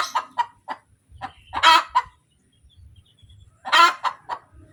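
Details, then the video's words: Hen's cackle after laying an egg: a run of rapid staccato clucks rising into loud harsh squawks, a pause, then another loud squawk with trailing clucks, low rustling beneath. "SUARA AYAM SETELAH BERTELUR | AYAM BERKOTEK | AYAM BETINA BERTELUR"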